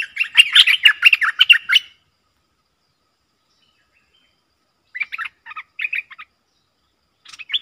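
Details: A Streak-eared bulbul pair in a fierce song duel, recorded 30 October 2021: a loud two-second rush of rapid chirped notes, then quieter, scattered short phrases after a pause.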